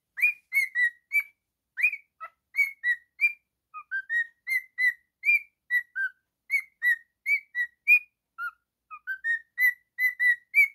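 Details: Singing pet cockatiel, male, delivering a varied sequence of brief whistles that rise and fall in pitch, evenly spaced and pure-toned, with nothing else audible.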